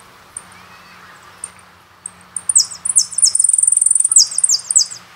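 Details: Jilguero song from the Carasucia CD: a few isolated thin high notes, then an energetic run of downward-slurred phrases around a long, rapid buzzing trill, with faint low background hum.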